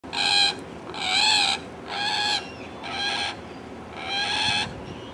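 A common moorhen gives five harsh, croaking alarm notes, each about half a second long, roughly one per second, over a low rumble of background noise.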